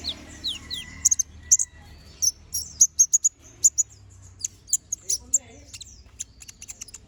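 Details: Brown-throated sunbird, known as konin, delivering a sharp-shot ngobra song: two falling high whistles open, then a rapid series of piercing, very high chips and brief twitters, closing with scattered softer notes.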